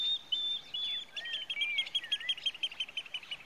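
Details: Pied Kingfisher in Kruger Park, South Africa, with a thin whistle followed by quick high twittering notes repeated about three per second, plus a few lower slurred calls.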